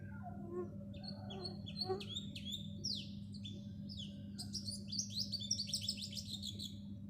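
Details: House sparrows chirping: a busy run of short, sharp, downslurred chirps, growing denser and overlapping in the second half as several birds call together, over a steady low hum.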